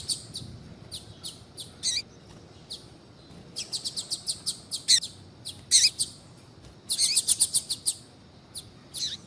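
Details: Double-collared seedeater female call, used to stimulate a male to sing; bursts of high, quick chirps, some in fast rattling runs, others louder and slurred downward, with brief pauses between groups.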